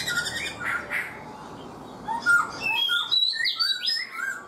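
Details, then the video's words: Black-throated laughingthrush caged for four months gives a rich mix of clear whistled slurs and sharp chirps, quieter at first, then a dense burst of high ringing notes. "Khướu bạc má 4 tháng lồng, người rài giọng cực hay"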